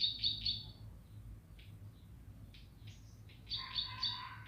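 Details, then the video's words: Bar-winged prinia in lively singing form: short bursts of rapid, buzzy repeated notes, with quieter scattered chirps between them and a low steady hum underneath. "Masteran Burung Ciblek Pari Gacor"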